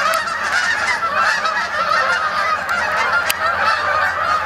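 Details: Canada geese coming in to spend the night on the main pond, Sapsucker Woods, Ithaca, New York, 28 October 2017; loud, dense clamour of overlapping honks from many geese, unbroken throughout.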